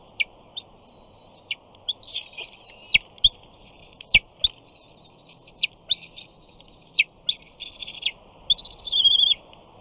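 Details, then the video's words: Begging bald eaglet on its Big Bear nest, 28 June 2019, calling while its mother eats and its father perches nearby without bringing fish. High, sustained, thin whistles break off with abrupt drops, alongside a few sharp clicks and knocks. "Big Bear Eagles~ Shadow Flies In, Simba Screes!"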